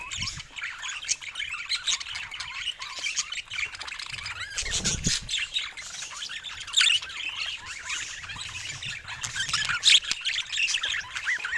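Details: Several pet budgerigars chattering together in a steady, dense stream of warbling notes, squeaks and scratchy squawks, with occasional louder sharp chirps and brief rustling.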